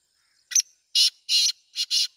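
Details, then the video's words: Black francolin phrase of five rough, buzzy notes: a short sharp opener, then four broad grating notes in quick rhythm, with a thin steady whistle faintly audible behind. "کالا تیتر کی آواز سندھی تیتر کی آواز"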